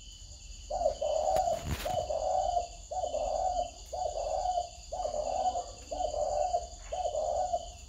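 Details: Spotted dove cooing, a low hollow coo phrase repeated about once a second in a steady series, with a faint steady high hum behind it.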